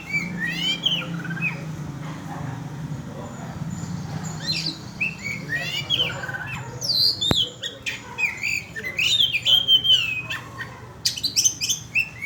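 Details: Oriental magpie-robin lure song for provoking birds: rich medley of clear whistles, downslurred notes and chattering buzzy bursts, growing denser and louder toward the end, with one sharp click and a low hum beneath.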